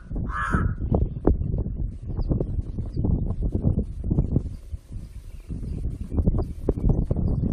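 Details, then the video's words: A crow making a funny noise gives a rapid run of low, gurgling, croaking notes, with one brief harsh higher squawk near the start, over a dull low rumble. "Crow Makes Funny noise"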